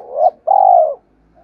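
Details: Short spotted dove fragment from a recording used to stir other doves to coo: a brief rising hoot, then a sustained, even, vibrating coo of about half a second.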